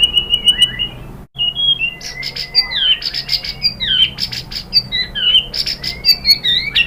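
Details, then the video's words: White-rumped shama singing, a recording meant to provoke captive birds to answer: a steady run of high whistles, then a dense medley of sharp chirps, sweeping whistles and buzzy notes in rapid succession. "KICAUAN MURAI BATU merangsang BUNYI jadi NYAUT GACOR NGEPLONG BONGKAR ISIAN | PANCINGAN MURAI"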